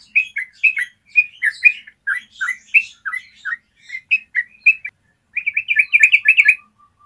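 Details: Yellow-vented bulbul in its clear long-trill song, used as master recording for bulbuls. Irregular phrases of warbled notes, then a brief silence and a fast, dense burst of chatter ending in a soft, steady tone.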